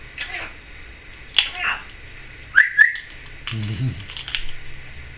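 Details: A female pet Timneh African grey parrot, recorded in 2012 in a small room, gives short whistled notes and sharp clicks, some sliding upward, with a brief burst of mimicked speech-like sound.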